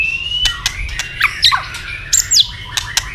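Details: {'text': 'White-rumped shama stimulated into fighting song, tail flicking; scattered harsh squawky notes and high thin slurs mixed with sharp clicks.'}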